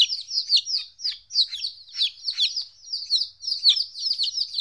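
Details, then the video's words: Fourteen-day-old domestic chicks, newly separated from their mother for the first time, give a steady stream of high, overlapping peeping chirps, many with sharp downward sweeps, pulsing roughly twice a second with no other sounds. "Chicks Chirping Sounds - Baby Chicken Sounds"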